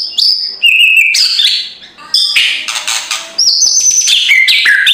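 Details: Busy, loud kretekan song of white-rumped shama for provoking a silent bird at dawn: high held whistles alternating with scratchy rattled bursts and quick descending slurs, nearly continuous.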